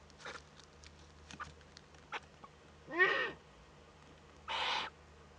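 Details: Eurasian eagle-owl owlet in a webcam nest in northern Rhineland-Palatinate, Germany, 15 May 2013, at its first contact. Two broad rasping hisses arrive about a second and a half apart, after scattered soft clicks and rustles in the nest.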